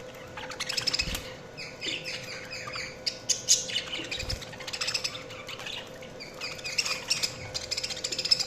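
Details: Budgies chirping in a dense, busy chatter of short high chirps, squeaky notes and rapid warbled bursts, with several louder outbursts near the end over a steady low background hum.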